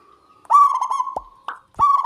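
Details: Local zebra dove singing loudly: a sustained, rough coo near one pitch with a rattling, pulsed texture, broken by short sharp clicks, then the cooing resumes.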